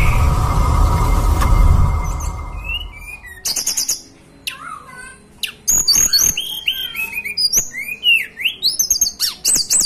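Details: Hill blue flycatcher, a local bird from the mountains of Banten and West Java, Indonesia: after a few seconds of low rumbling noise, thin high whistles and sliding notes mixed with sharp clicks and chips.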